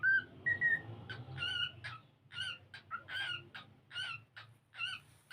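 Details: Pet cockatiel singing while playing: a couple of brief clear whistles, then a series of harsh, buzzy chirps repeated irregularly about every half second, with a faint low hum behind.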